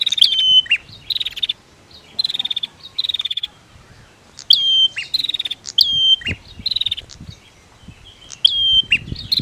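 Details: Male and female prinia duelling: quick pulsed tick rattles alternate with sharp whistled notes that slide down and hold briefly, each ending in a short buzz. Phrases repeat every second or two with brief gaps.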